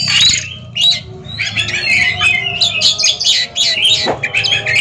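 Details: Oriental magpie-robins in a caged song duel: a rich tumble of scratchy, whistled and squawking notes with brief pauses, low murmuring noise beneath.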